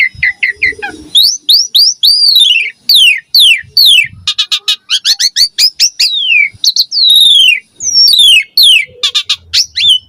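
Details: Javan pied starling song for training young birds: rapid series of descending whistled sweeps mixed with chattering and harsh notes, continuous and loud.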